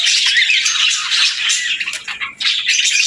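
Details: Budgerigar pairs chattering together, a busy stream of scratchy warbling, clicks and high chirps with brief dips, rising again strongly in the final half second.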